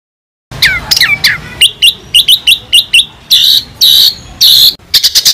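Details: White-rumped shama used as a tutor recording for songbird keepers: loud, high whistled phrases, sweeping notes followed by a rapid series of short chirps and then ringing, sustained bright notes, closing with quick clicks.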